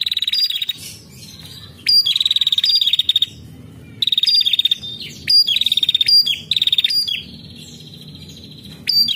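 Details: Female prinia calling actively, used as a lure to prompt other prinias to sing: high, dry, rapid chattering trills in bursts of about one to one and a half seconds, repeated after short gaps, over a faint low hum.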